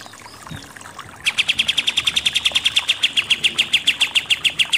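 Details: Kapas tembak, the pied triller, bursting into its 'nembak-nembak' shooting song after a second of quiet. A long, steady, very rapid series of crisp high chips continues to the end.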